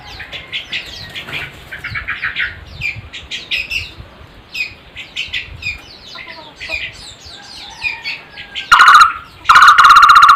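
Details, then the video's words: Background chatter of small birds, then a barbet breaking in with two loud bursts of rapid, grating pulsed notes held at one pitch. "Burung takur suara aneh tapi merdu"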